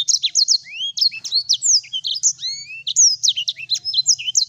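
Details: Vigorously singing Sanger, a tutor song: quick bright twittering notes mixed with long rising whistled slurs, delivered in a continuous busy chatter.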